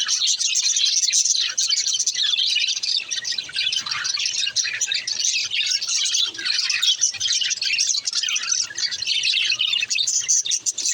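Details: Continuous high warbling and chirping from budgerigars during breeding. Several birds twitter together in a dense, scratchy chorus that barely pauses.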